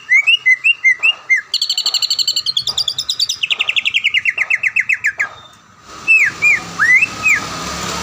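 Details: A caged greater green leafbird, champion at events around Palembang, opens with short whistled notes, runs into a long rapid trill falling in pitch, then gives rising slurred whistles over background hiss.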